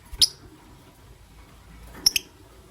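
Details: Morning chirping from pet lovebirds, a green Personata and a pastel white; one quick high chirp, then after nearly two seconds a close double chirp, with near silence between.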